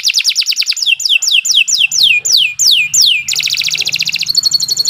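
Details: Canary song meant as training material for future champion birds: a quick trill, then a series of loud downward-swooping whistles about three per second, ending in dense rolling trills.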